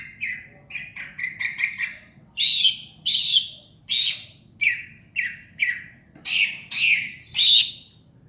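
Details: Greater green leafbird singing a series of short, bright, slurred phrases, some chattering and some clear, loud whistled notes, repeated roughly every half second with brief pauses; a low steady hum underneath.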